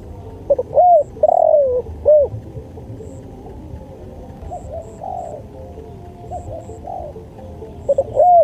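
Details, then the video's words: Spotted dove song in a masteran luring track: one clear phrase of stuttered notes, a long falling coo and an arched note, followed by quieter distant-sounding coos and a new phrase starting at the end. "MASTERAN SUARA TEKUKUR"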